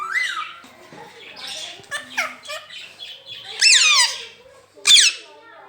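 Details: Rose-ringed parakeet kept as a pet, speaking "Mian Mitthu Chori Khani Ha": a few nasal spoken syllables, then two loud, downward-sweeping harmonic squawks.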